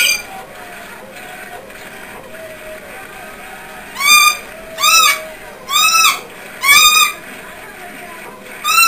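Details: A 5-year-old pet umbrella cockatoo (Cacatua alba), excited while the TV show The View plays, gives five loud, harsh, arched squawks about one second apart after four quiet seconds, with a faint indoor hum underneath.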